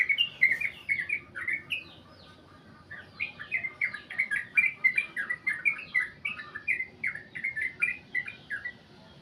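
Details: Sooty-headed bulbul in its long 'goklik' song style. Quick strings of bright downslurred chirps run almost nonstop, with a short pause near the start before the rapid chattering resumes.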